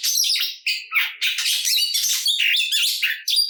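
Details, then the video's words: Oriental magpie-robin delivering a fighting song meant to stir rival magpie-robins into singing: dense, scratchy phrases packed with chattering notes and sharp whistles, broken by short gaps. "Kacer Gacor Full Isian Tarung Ngotot Bikin Emosi Kacer Lain dan Terpancing Bunyi || Voice of Kacer"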